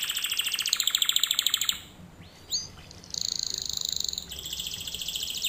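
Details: Canary singing as a teaching lesson for young canaries, with rapid high rattling trills, a brief pause with a single upswept note, then a fast metallic rolled tour and another sustained trill.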